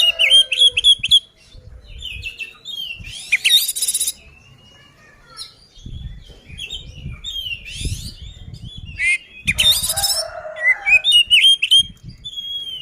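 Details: Fighting song of an oriental magpie-robin, meant to rouse other birds into anger. It mixes varied loud whistles, quick rising slurs and harsh scratchy bursts in bouts separated by short pauses, over a faint low background rumble.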